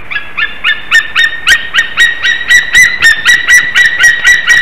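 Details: White-tailed eagle pair at their nest in Slītere, Latvia, on 26 February 2021 around 8:41 am, calling during mating and bonding; a fast run of sharp, ringing yelps, about four per second, growing louder and steadier toward the end.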